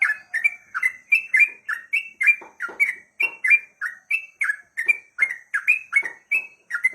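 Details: Long, emotional ruddy-breasted crake calling that sets rivals calling too; steady chain of clipped, whistled chirps, each dropping slightly in pitch, delivered about three per second without a break.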